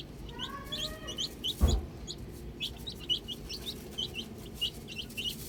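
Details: Several little chicks playing with a ball, peeping in brief high downward-slurred notes in quick bursts, with a single dull thump near the middle and soft background hum.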